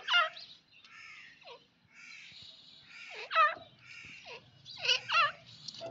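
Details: Female grey francolin calling, harsh wavering notes with falling tails in irregular bursts, some overlapping, over a faint background rumble.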